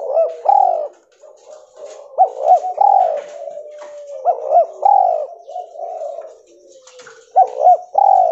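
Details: Albino, cotton-white mutant spotted dove giving repeated bubbling coos, each opening with a quick rising-falling note and then a drawn-out hum, phrases spaced about two seconds apart over a faint steady high tone.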